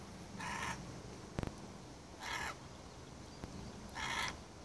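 Carnaby's black-cockatoo giving three harsh, rasping wails about every two seconds, with a couple of sharp knocks between calls.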